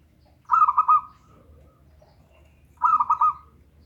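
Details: Local zebra dove calling as a lure for a lazy singer: two crisp phrases a little over two seconds apart, each made of four or five quick ringing coos that slide into a fading tail.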